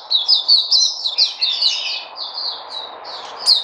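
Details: Caged Puteh, the local name for a white-eye, gives a dense, high warbling twitter that runs into a longer sustained thin phrase before ending with a sharp chirp, over a low hum.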